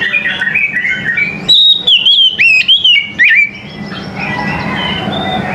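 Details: Morning song of an Oriental magpie-robin. Faint chirping leads into two seconds of bright, sweeping whistles rising and falling in quick succession, then a background of distant twittering and low hum.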